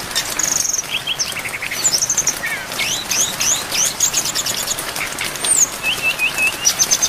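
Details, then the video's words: Brown-chested jungle flycatcher training song packed with fill-in phrases, with rain: a lively, varied stream of high whistles, rapid upward-sweeping notes and short trills, ending in a quick descending series. "MASTERAN SRDC FULL ISIAN DAN AIR HUJAN DURASI PANJANG"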